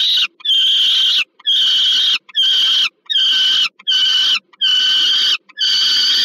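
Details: Peregrine falcon at a Warsaw nest site in Poland, 15 August 2022, as food is delivered to a young falcon: a steady series of strained, harmonic wails, each about a second long, repeated roughly once a second.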